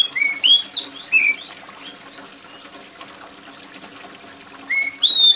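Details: Loud oriental magpie-robin song with trickling rain water: a burst of quick whistled notes, sweeping up and down, then several seconds of only pattering water, then further bright whistles near the end.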